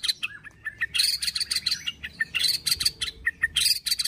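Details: Fighter-style song of a captive white-rumped shama: dense, rapid bursts of harsh, high chattering notes mixed with short whistles, packed almost without pause.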